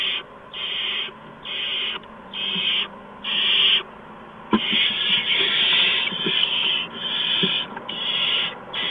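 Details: Owls at a nest between 8:04 and 8:09 PM on March 13, 2015, as adults bring mice and a gopher to the owlets. A run of loud rasping hisses, near-continuous in the middle, with a sharp knock and scuffling.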